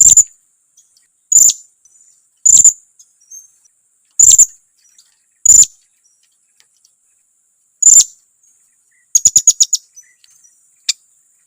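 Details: Lure call of a blue-crowned hanging parrot, used to rile up others of its kind: six separate piercing high squeaks spaced one to two seconds apart, then a quick chattering run of short chips.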